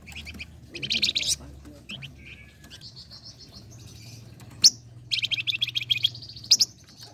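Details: Flame-breasted flowerpecker song used as a lure for training competition songbirds: two dense bursts of high, rapid, scratchy chatter with thin sustained notes between them.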